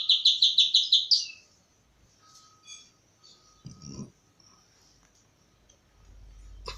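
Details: Javan bush lark singing in the 'krece' style: a fast run of about eight bright, buzzy notes in the first second, then near silence with a few faint chirps and a soft thump.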